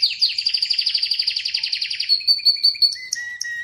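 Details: Song of an Atlantic canary: a fast, even trill of high pulsed notes lasting about two seconds, followed by slower spaced chirps and a steady whistled tone.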